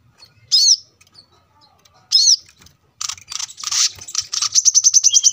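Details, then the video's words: Brown-throated Sunbird singing steadily, recorded by a roadside as a tutor for cage birds: two sharp, arching chirps a second and a half apart, then harsh, buzzy chatter that settles into a quickening trill of high notes. "kolibri kelapa gacor masteran untuk burung bahan agar cepat bunyi gacor setiap saat"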